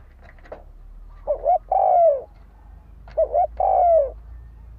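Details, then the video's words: Lure coo of a spotted dove used to provoke fighting: two phrases, each a double short hoot followed by a long, mellow, downward-sliding coo, over a low steady hum. "Tiếng chim cu gáy đấu bổi dùng kích mồi"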